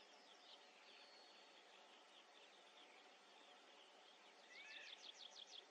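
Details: A kite at its nest gives a brief, quavering run of high, rapidly repeated notes near the end, set against a steady hiss of outdoor background noise.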